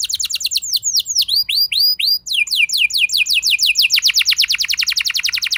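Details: Domestic canary song used as a lure to provoke other canaries into singing, rolling ('ngeroll') style: rapid high trills of repeated notes, down-slurred sweeps, then a fast buzzy rolling trill rising toward the end.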